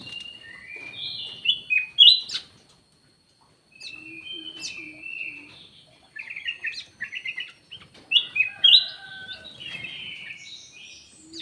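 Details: Lure call of a black-naped oriole: bursts of whistled slurs and chirps, a brief pause, then rapid stuttering whistled phrases and more varied notes.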